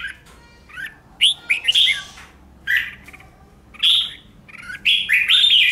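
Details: Red-whiskered bulbul singing in a training recording meant to provoke competitive song: clear whistled phrases, some swooping upward, given in spaced bursts about a second apart over quiet background.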